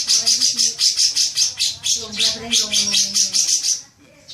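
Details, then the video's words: Greater green leafbird giving a lure recording meant to set off long 'ngekek' chattering: a rapid, high, buzzy chatter of evenly pulsed notes, about eight per second, running steadily for nearly four seconds before stopping. "Pancingan suara cuca ijo agar cepat ngekek panjang"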